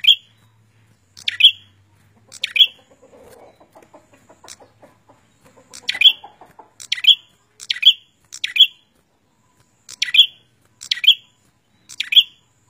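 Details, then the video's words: Prenjak (prinia) singing energetically: about a dozen sharp, high chipping notes repeated in quick bursts, roughly one per second, with a brief soft murmur of other sounds partway through. "suara burung prenjak gacor"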